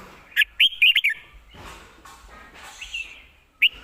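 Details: Caged red-whiskered bulbul singing quick whistled phrases of three to four looping notes, a softer phrase in the middle and another burst at the end.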